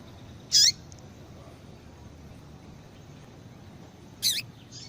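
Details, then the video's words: Female yellow-bellied seedeater calling to get males excited: two short, very high chips nearly four seconds apart, the second followed by a faint trailing note, with quiet hiss between. "Fêmea de Papa capim Chamando Muito para Esquentar papacapim"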